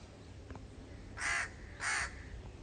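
A crow gives two harsh, hoarse caws about half a second apart, each loud and grating, over a quiet low background hum.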